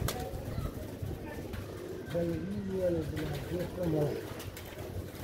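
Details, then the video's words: Pigeon cooing: a run of low, soft, rolling coos with rising and falling pitch over a few seconds midway, set against steady low background rumble and scattered clicks. "the sound of pigeon"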